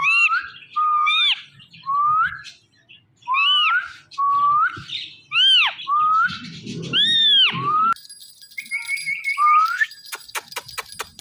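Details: Pair of pet Indian ringneck parrots, male and female, morning calling: a rapid series of arched, rising-and-falling screeches and short rising whistles, many in a row, ending in a buzzy trill and clicks.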